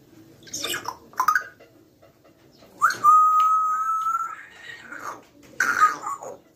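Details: Friendly pet grey parrot described as a full talker: short breathy, voice-like bursts, then a long steady whistled tone held for over a second that drifts slightly upward, followed by more clipped chatter, indoors.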